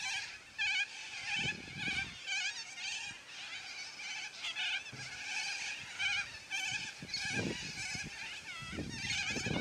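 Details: Flock of noisy yellow-crested cockatoos, a steady chorus of harsh buzzy screeches with quavering tones, some louder squawks standing out, occasional low knocks and rustling.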